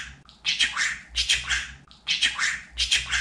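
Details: Talking pet budgerigar kept indoors: four short, raspy chattering phrases, each repeated about every 0.8 seconds, with thin whistled notes inside each burst.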